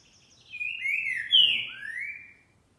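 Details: Green-winged saltator (trinca-ferro) singing on a Sunday at 11:30 in the morning, 28 March 2021: a short, rich whistled phrase of slurred notes that rise to a strong middle note, then a final drawn-out descending whistle, in quiet surroundings.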